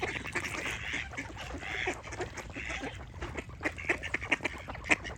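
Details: Busy duck flock with loud, drawn-out nasal quacks at the start, then a run of sharp, clipped quacks and clicks against low background rumble.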